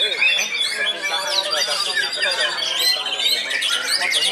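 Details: Aged caged white-rumped shama still active in song: fast, bright phrases of sweeping high whistles and twittering notes, a long thin tone running through part of the passage.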